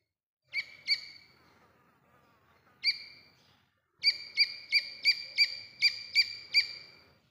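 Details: Partridge in Rajasthan calling: sharp, high, ringing notes, first a few spaced singles and a pair, then a fast steady series of about nine notes, roughly three per second, in a quiet setting.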